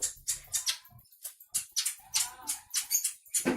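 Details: Asian pied starling of the Javan type, described as very noisy and chattering, giving a rapid series of harsh, hissing, broadband bursts roughly every quarter second with faint low thumps between them.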